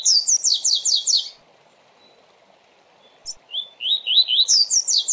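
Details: Coleiro singing the fast Tui Tui training song: it opens with a run of rapid high descending sweeps, falls silent for about two seconds, then gives rising whistles followed by more quick sweeps over a faint hum.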